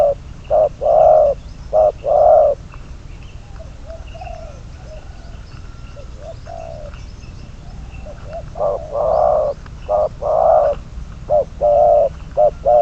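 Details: Decoy spotted dove used in trapping coos in bursts of short-long hollow notes, pausing in the middle of the recording where softer, quieter coos are heard, then resuming loudly.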